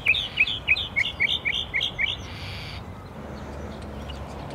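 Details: Northern Mockingbird perched on a hedge beside a palm tree on a La Jolla street, San Diego, California, on a September 2019 morning, giving a quick run of about ten short, bright chirps in under three seconds, then quiet with soft outdoor hiss.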